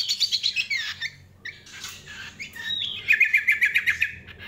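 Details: Greater green leafbird in lively song: quick repeated chirps, a warbling stretch, then a rapid pulsed trill of bright notes, delivered loudly and continuously.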